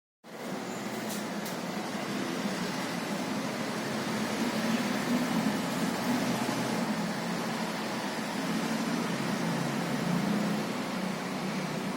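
Steady broadband hum like an air conditioner or fan fills the room, with no animal sound.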